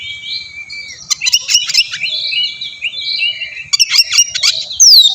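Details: Lure recording of oriental magpie-robin song meant to make a bird answer: a thin, level whistle opens, then dense bursts of scratchy, buzzy notes mixed with sweet warbled phrases, ending in a loud falling whistle.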